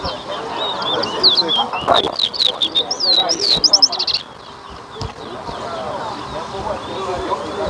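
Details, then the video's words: Towa towa at a bird whistling competition in Better Hope, Guyana, giving about four seconds of quick high whistled slurs mixed with clicking bursts, then falling quiet under background chatter and crowd noise. "TOWA TOWA BIRD WHISTLING COMPETITION"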